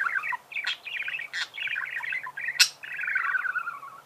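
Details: Continuous budgerigar chatter: rapid, jumbled chirps and warbles with a few sharp clicks, ending in a falling buzzy phrase, over a faint hum.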